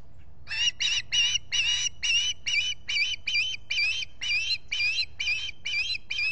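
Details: Osprey at a nesting site in the Finger Lakes, US, on a July 2021 morning as a visitor arrives, recorded by a solar-powered nest camera; about fourteen harsh, squealing notes in a steady run, roughly two per second.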